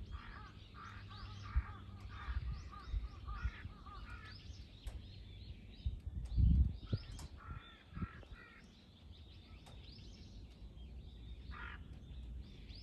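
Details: Three crows mobbing a hawk on 21 October 2023: bursts of hoarse, rasping caws come in quick series through the first half, then sparser calls, over low rumbling wind and a loud thump midway.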